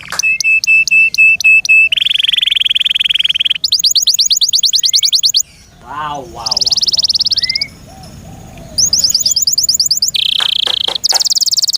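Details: Caged canary, Serinus canaria, singing loudly: buzzy trills and rapid whistled rolls around high pitch, a sweeping descending note series midway, sharp repeated chips, with brief exclamations from a person nearby.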